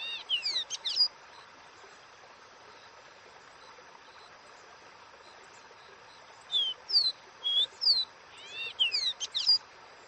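A seedeater sings high, clear whistled phrases of slurred notes in bursts, with pauses between; a faint steady hiss underneath.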